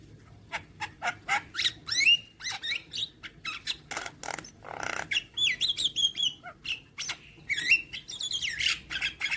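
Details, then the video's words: Young Javan myna song used as a training recording played every morning: a rapid run of harsh clicks and chattering notes mixed with squeaky rising whistles, nearly continuous for nine seconds, with a low steady hum beneath. "Masteran Burung JAlak Kebo Muda Agar Cepat GAcor"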